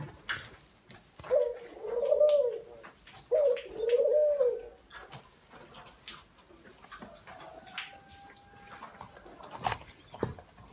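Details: A spotted dove on a rainy, windy day gives two soft, low, rounded cooing phrases about two seconds apart, with scattered tapping and clicks in the background.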